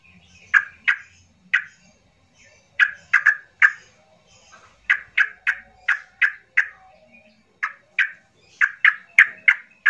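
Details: Yellow-vented bulbul in an agitated song used as a lure to get quiet bulbuls singing: sharp, clipped descending notes given singly and in quick pairs or triplets, repeated steadily for ten seconds.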